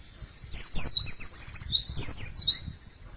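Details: White-eye giving two quick bursts of thin, high twittering song, the first longer, the second a short echoing phrase.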